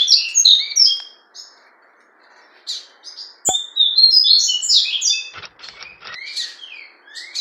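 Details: Captive double-collared seedeater of the fawn ('fulvo') colour gives bright chattering phrases of sharp high chips and slurred whistles, broken by pauses, over a faint steady hum and an occasional click.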